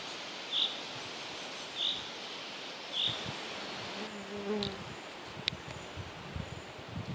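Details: Juvenile hazel grouse in Ida-Virumaa, Estonia, July 2025: three thin, high, short peeps about 1.2 seconds apart, over steady background hiss, with a faint low hum and a few clicks afterwards.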